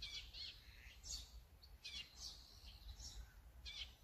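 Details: Azure-winged magpie giving a series of grating, squawky calls about every half second to second, recorded on a Sony A9 camera with light low-frequency background noise.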